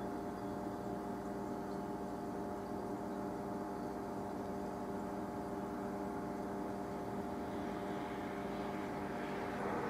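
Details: A constant droning engine hum with steady low tones runs through the recording, like an aircraft overhead, with no bird song audible.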